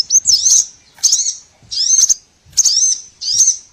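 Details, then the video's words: Lure recording of small birds used to attract all kinds of small birds for trapping: five short bursts of high, thin twittering notes, each about half a second long, spaced roughly every three-quarters of a second. "MP3 BURCIL COCOK UNTUK PIKAT SEGALA JENIS BURUNG KECIL"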